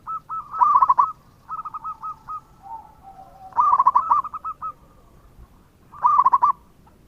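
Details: Energetic local zebra dove song: bursts of rapid, bubbling coo notes at a steady pitch, linked by quieter strings of short notes, with faint lower coos between; three loud phrases in about seven seconds.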